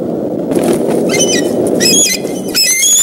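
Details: Bald eagle pair at Decorah nest, 17 April 2014, early afternoon, gives high, thin chittering alarm notes in quick stuttering bursts at an intruder tentatively identified as a fox squirrel, over a steady low rush of wind.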